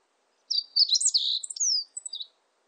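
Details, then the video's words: Meadow bunting song recorded in 2020: one rapid, varied phrase of high, thin chirps and slurred whistles lasting about two seconds, with a descending sweep near the end and a few short clipped notes to close, over a quiet background. "멧새, 여러번 듣기, 곤충소리, 새소리"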